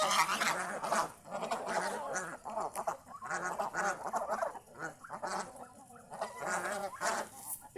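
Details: Several geese kept near a house call while enjoying the surrounding fields; nasal, harmonic honks come in quick, overlapping bursts with short pauses between them, in a busy chorus.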